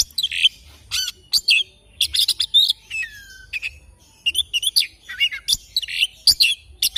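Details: Oriental magpie-robin singing in the morning: a varied run of sharp chirps, whistled notes and trills in bursts, with a falling slurred whistle near the middle and short pauses between phrases.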